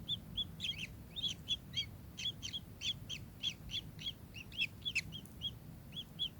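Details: Kingfisher repeating clear, high, clipped notes in a fairly regular stutter, several per second, with brief flurries of more tangled chirps, over low background noise.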